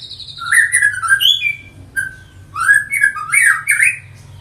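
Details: White-rumped shama, juvenile aged six months, captive, from colony breeding of the Medan line. Harsh squawky notes mix with fast whistled slurs and high trilled bursts in two loud bouts split by a quieter single note.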